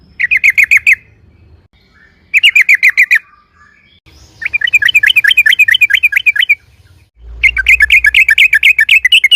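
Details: Loud lure song of a yellow-vented bulbul in rapid ropel style: four bursts of quick, bright chattering notes, the later bursts longer and more run-on, with brief silences between.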